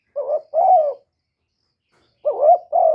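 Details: Spotted dove cooing: two quick phrases, each a short wavering hoot joined to a fuller, steady coo, separated by over a second of silence.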